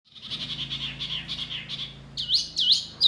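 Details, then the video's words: Indonesian masteran birdsong used to prompt caged birds such as Murai, Kacer, Cucak ijo and jalak to answer: a soft, rapid warbling trill for two seconds, then louder swooping whistles, over a low steady hum. "Masteran burung Murai, Kacer, Cucak ijo, jalak, pasti NYAUTTTTT"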